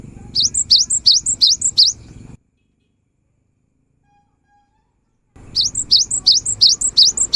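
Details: Cinereous tit song played to get quiet birds singing: rapid, regular bursts of high, sharp rising notes, about three a second, broken by a three-second silence before the same phrase resumes over faint low background hum.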